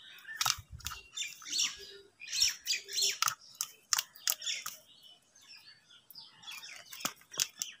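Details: Angry crows fighting over food give harsh, rasping caws in quick, uneven bursts, several overlapping, with a few soft thumps and handling noises at the start.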